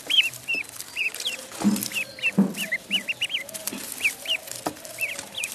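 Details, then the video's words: Duckling peeping in a pond, high arched chirps in loose pairs and triplets, with a couple of soft knocks and splashy sounds underneath. "Duck Sound duckling in the pond -duck quack"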